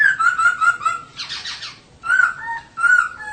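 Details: Female laughingthrush, kept as a cage bird, singing to spur males into song. Clear whistled phrases wavering around a steady pitch, broken by a harsh, buzzy burst in the middle, then two more whistled phrases with lower answering notes.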